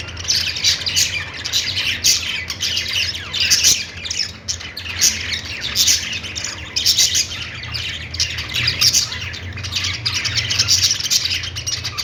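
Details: Lively budgie song from several birds, continuous buzzy warbling punctuated by bright clicks and squeaks, swelling and easing through the recording over a faint hum.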